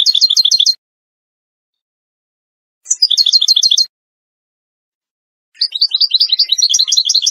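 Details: European goldfinch of the Moroccan Wedani type, singing a tutoring song for chicks in three separate bursts of quick, bright, ringing twitters divided by clean silent gaps.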